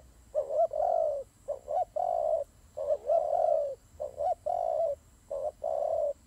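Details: Turtle doves fighting: a rapid run of mellow, hollow coos, long and short notes alternating about once a second, over a quiet background hum.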